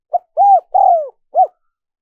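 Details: Spotted dove cooing, played to lure wild doves: one four-note phrase of a short pip, a rounded coo, a longer drawn-out descending coo and a final short arched coo, clean with no other sounds.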